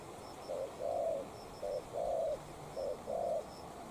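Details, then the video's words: Spotted dove, a decoy facing a wild bird: three clean pairs of low coos, each a clipped note then a longer rolling one, with faint high twitters of another bird in the distance. "Mồi Cụt Đuôi DNa Quyết chiến Bổi Đồng Sấm - 1 con bổi Chất lượng."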